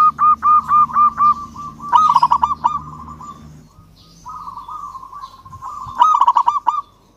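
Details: Zebra dove of a local strain, singing hard to summon a rival: a row of arched coos, then rapid rolling stutters, a quieter wavering stretch, and another rolling burst, with a low hum beneath.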